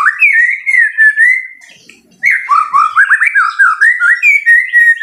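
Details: White-rumped shama, a fighter bird, singing loudly: sustained fluty whistles, a short quiet gap, then rapid warbling notes bouncing up and down in a lively continuous phrase.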